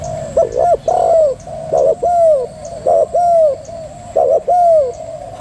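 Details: Female spotted dove in thúc gù style, cooing in paired phrases: a brief stuttered note, then a drawn-out arching coo, repeated about once a second for five phrases, with a constant low hum behind.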